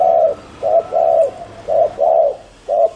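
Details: Fast bowing coos from a spotted dove kept as a lure bird: strong mellow paired notes, short then longer, recurring roughly every second in a clean recording.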